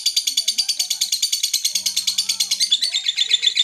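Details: Lovebird in Garut chirping in mentil fashion as a provoking lure for other lovebirds: a steady rattle of high chirps about three per second, while low voices murmur faintly in the room.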